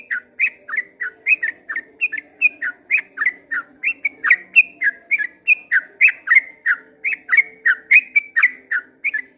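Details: At dawn, a sooty-headed bulbul delivers a long 'ropel panjang' song, an unbroken stream of short, fluty, down-slurred whistles repeated rapidly, roughly three to four notes each second, over a quiet low background hum.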